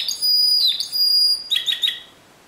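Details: Timbrado canary, discontinuous style, singing: a long steady whistled note held about half a second, dropping into a lower slurred phrase, then three quick metallic notes fading out.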